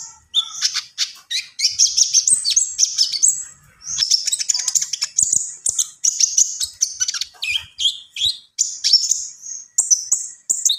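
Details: Javan pied starling delivering an extended full song, a nonstop stream of high whistled and squeaky notes, slides and quick chatter in short bursts.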